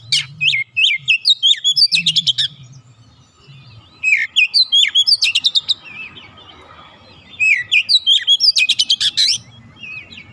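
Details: Untrained oriental magpie-robin quickly joining in with full song: three lively phrases of clear rising whistles followed by fast, evenly spaced chattering notes, each phrase about a second and a half, with a low background hum.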